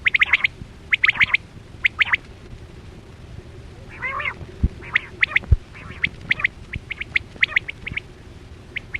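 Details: Net-hunting lure of the chora quail: quick runs of bright clipped notes, a short rasping burst near the middle, then more evenly spaced sharp chips over a low hum.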